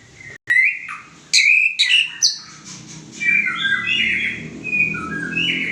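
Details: White-rumped shama, described as having a 'klewer' tail, singing rich whistled phrases: a sharp click, then bright rising and falling notes and warbled trills that grow into a continuous, varied stream of sweet whistles.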